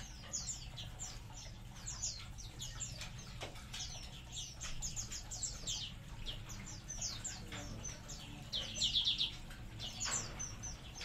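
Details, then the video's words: Munia colony calling in a crowded burst of sharp, high downward chirps, roughly four per second overall, with one louder buzzy trill near the end and a constant low hum. "COLONI BURUNG EMPRIT"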